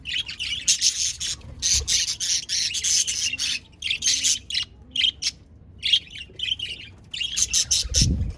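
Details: A flock of budgies keeps up a busy warble of short, high, scratchy chirps in quick succession, nearly without a break.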